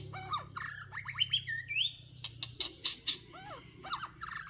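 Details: White-rumped shamas fighting during trapping in Northwest Vietnam: quick run of clear whistled slurs climbing in pitch, then sharp clicking chips and a few curved falling whistles, closely spaced and vigorous, over a soft low hum.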